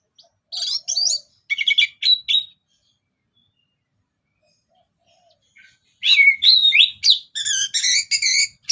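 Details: Orange-headed thrush, anis merah, in song used as a lure: a burst of rapid varied chirps, a long silent gap, then dense loud whistled phrases with rich harmonics and fast rising and falling notes.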